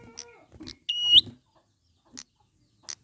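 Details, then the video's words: Prinia recorded in the wild as a singing lure: one sustained high, reedy note rising sharply at the close, framed by crisp clicking ticks and brief low muffled sounds. "pancingan prenjak gacor alam liar"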